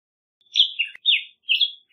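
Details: Black-headed grosbeak singing a rapid run of rich warbled whistles, five short phrases rising and falling, separated by brief pauses, no other sounds.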